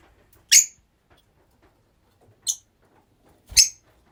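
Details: Rosy-faced lovebirds kept together as a group indoors, giving short harsh high-pitched shrieks, three separate calls spaced about one to two seconds apart against near silence.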